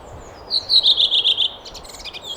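A waxwing gives a high, thin, sibilant trill lasting about a second, then softer, scattered pulses on the same high pitch. Faint low background hiss throughout.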